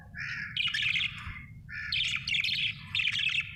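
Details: Happy pet budgerigar chirping in busy bursts: a brief clear whistle, then rapid scratchy warbles and chatter, a pause, and two more dense chattering runs, with a faint low hum underneath.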